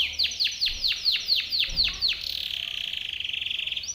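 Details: Timbrado canary singing for training: about nine loud downward-swooping whistles, roughly four per second, followed by a fast even rattling trill.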